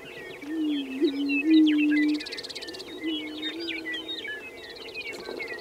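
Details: Lekking prairie chicken on the Fort Pierre National Grasslands in South Dakota. Two sustained low moaning tones are heard, the first wavering and the second flatter. Overhead, busy chirps and whistles from other birds fill the background.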